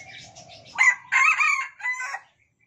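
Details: Sumatran red junglefowl cock, kept in a cage since a day-old chick, crowing in alternation with cage-mates. One brief, strident crow of about three harsh syllables, then silence; a soft tonal note precedes it.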